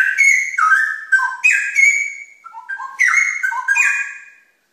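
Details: Straw-headed bulbul, known locally as cucak rawa, singing loud, rich whistled phrases that swoop and warble between low and high notes, several bubbling bursts with brief pauses, clear and unaccompanied.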